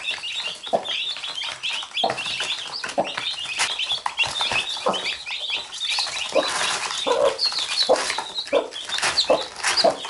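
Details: Domestic chicken family, a mother hen with her chicks; the chicks bite the hen and she picks them up. A dense chorus of high, downward-slurred chick peeps runs throughout, with occasional low soft clucks and scattered knocks.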